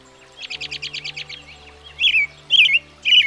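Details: Song of the American robin, a familiar US backyard bird: a quick run of about eight even chips, then three loud, clear whistled caroling phrases about half a second apart, with a faint low hum beneath.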